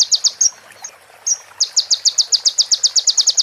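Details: High-pitched sunbird song, recorded clear as a master for training other birds: a few rapid notes, a drawn-out thin whistle and gap, then a steady, fast series of sharp repeated notes.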